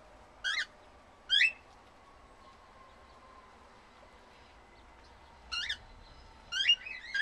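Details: Cockatiels (Nymphicus hollandicus) eating salad in an aviary give short, rising chirped calls, a few separate bursts over quiet background hiss.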